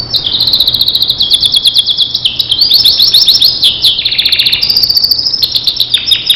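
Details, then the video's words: Starblue canary singing a training song for other canaries: a long, continuous run of rapid high trills and chirps, each phrase held at a steady pitch before jumping to the next, with brief descending slurs between. "Masteran Suara Kicau Kenari Starblue"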